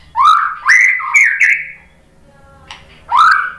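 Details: White-rumped shama reacting to a lure recording with loud, full whistles that rise and waver in a short series, a pause, then one more strong rising whistle.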